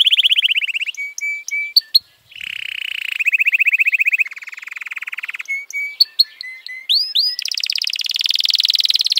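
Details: F1 canary delivering a varied song of successive tours: rapid rolling trills at different pitches, separated by sharp upward-whipping notes and short pure whistles, ending in a loud, fast trill.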